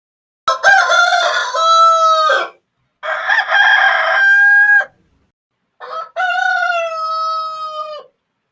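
A rooster crows three times, each a loud, harsh cock-a-doodle-doo about two seconds long with a drawn-out, level ending, spaced by short pauses.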